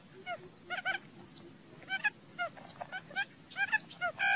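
Quail give short, nasal, harmonic chirps, often in quick pairs. The notes come irregularly from several birds at once over a steady hiss of background noise.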